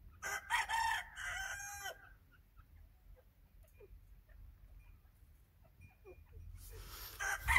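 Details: White francolin, known locally as dakhni teetar, calling: a loud, harsh run of rapid harmonic notes lasting about two seconds, then near silence with faint scattered ticks, and a second loud, broad burst at the end.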